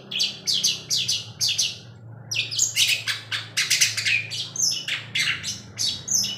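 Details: A long-tailed shrike goes on singing vigorously at night, tail flicking, producing rapid bursts of harsh, buzzy and whistled notes, broken by a short pause before a denser, more jumbled stretch.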